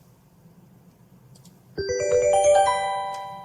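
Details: A bright chiming ringtone-like melody of bell tones starts after a quiet low hum, with no animal sound.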